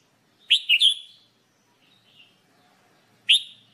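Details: Red-whiskered bulbul song for singing training: a loud rising whistle with two quick follow-up notes, then a soft pause and another sharp upslurred note almost three seconds later; otherwise quiet.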